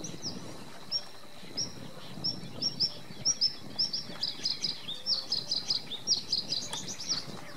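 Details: A singing male bluethroat in reed beds at Halastó ponds, Hungary: high, thin chirps and tinkling notes, starting sparse and quickening into rapid bursts, over a faint steady rural hum.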